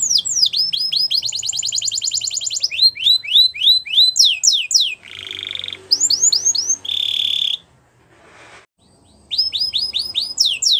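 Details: Canary song used to train young canaries: rapid trills and descending sweeps, two short buzzy rolls, a silent pause near the end, then more high sweeping notes.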